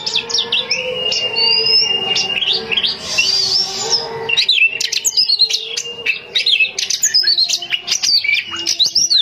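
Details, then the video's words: Female Oriental magpie-robin, a home-kept bird, singing to lure males: a long steady whistled note with sweeping upslurred phrases over it, then a rapid run of sharp chirps, buzzy notes and falling whistles, with a faint low drone underneath. "BURUNG KACER GACOR SPESIALIS RUMAHAN"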